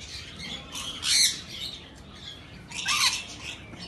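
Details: Rainbow lorikeet giving two harsh, buzzy squawks about two seconds apart, each a short broadband burst, over a low steady background hum.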